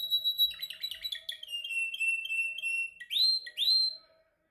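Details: Canary practising its song during training: a high trill that slides into a rapid, lower rolling tour, followed by two loud rising swept whistles.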